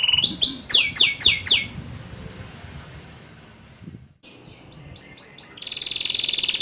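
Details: Canary song delivered in the rolling ngerol manner with sharp nembak notes: a series of loud descending whistled sweeps, a near-silent pause, then rising slurred notes leading into a steady high trill.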